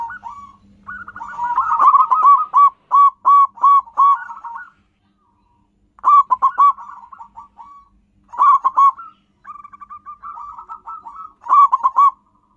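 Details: Local zebra doves with a natural wild voice, used to lure and trap wild birds: bursts of rapid, staccato cooing notes, bright and evenly spaced, given in separate phrases with short silent gaps and some overlapping phrases, over a faint low hum.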